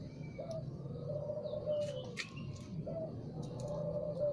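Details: Spotted dove heard in the morning, giving two quieter, low coo phrases, each a short lifted note followed by a long, even croon, partly masked by rumbling background noise and a few sharp chirps from other birds.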